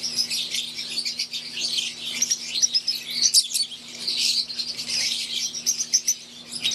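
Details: Captive wild-type green Fischer's lovebirds alongside Euwing lovebirds in an aviary, many birds chattering at once in sharp, high-pitched chirps that swell in bursts around the middle, over a low constant hum.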